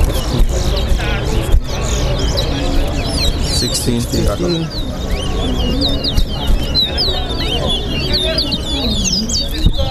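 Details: Towa towa (chestnut-bellied seed finch) in a singing race at Lusignan bird ground, Guyana, two caged birds competing; rapid high chirps and twittered phrases repeat throughout, over loud crowd chatter, speech and low rumble.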